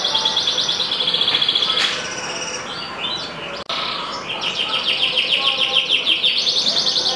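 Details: Yellow canary singing in full: fast repeated whistled notes, then a pause with softer twittering and a sharp click, before the bird resumes with rapid rolling trills of bright down-slurred notes.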